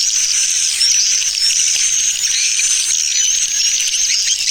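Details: Swiftlet lure-call recording used to attract swiftlets: a dense, continuous, high-pitched chatter with thin ringing chirps running through it, with no pauses or other sounds.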